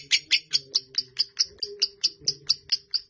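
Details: Indoor fighter lovebird singing its long chattering song: evenly spaced shrill, high chips at just over two per second, each sharp and short, over a faint low background hum.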